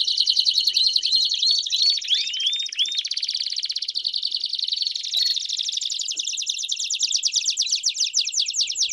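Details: Belgian canaries in chorus: a few bright chirped notes and curved whistles at the start, giving way to a long, fast, even rolling trill that runs to the end.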